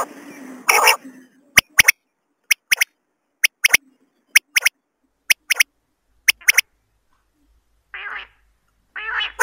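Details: Female common quail (batair) calling, recorded for quail hunting: sharp, clicking notes mostly given in close pairs, repeated roughly once a second, with short buzzy rasping bursts near the start and end.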